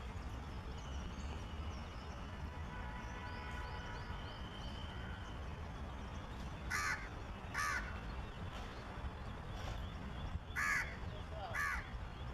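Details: Crow raising alarm at a shikra preening nearby: after quiet stretches of steady rumble and faint chirps, four rough caws come in two pairs, near the end.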